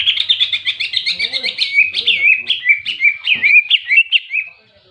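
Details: Greater green leafbird in a ngentrok jenggrik fighting song meant to anger other leafbirds; fast, high, chattering notes about two per second-plus, rolling into looping slurred whistles before ending abruptly.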